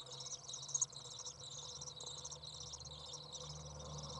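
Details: Young Common Swifts outside the nest on a hot 30 °C day in June 2011 as a parent feeds them; one sharp, thin squeak early, then continuous high rasping twitter over a steady low drone.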